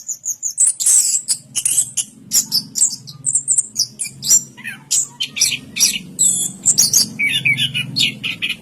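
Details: Dense, high, twittering song of an orange-headed thrush from Indonesia, full of quick chattering notes and scattered lower warbles, over a steady low droning hum.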